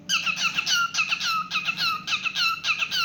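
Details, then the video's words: Captive cockatiel sings a steady sequence of loud, chirpy whistled notes with falling slurs, evenly paced at about two per second in a small room. "Adorable Cockatiel Milo's Cute Singing Moments"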